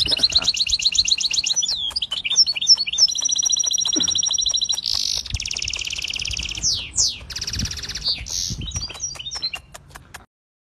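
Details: English canary, a singing-contest champion, sings a fast, high, varied song of rolling trills, buzzy tours and sharp upslurred chirps, phrases changing every one to two seconds, ending abruptly after about ten seconds.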